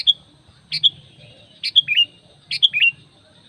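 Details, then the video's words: Sooty-headed bulbul lure call for attracting other bulbuls: clear short whistled notes, then quicker sets of high notes with falling slurs, about one set every second, over a steady thin high tone. "SUARA PANGGILAN PIKAT KUTILANG MENGGARUDA"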